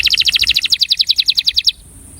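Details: Attraction song of a breeding male canary: a fast, even trill of bright, sharp notes, about eight per second, that stops abruptly after under two seconds, leaving quiet.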